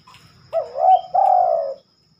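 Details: A rare night song of a spotted dove: one clear phrase with a wobbling, rising-then-dipping opening note and a smooth, longer coo that fades downward, over faint low background noise.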